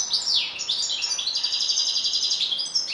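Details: Continuous European goldfinch song, a lively, rolling stream of high tinkling twitters, trills and buzzy slurred notes without a break, loud and close throughout.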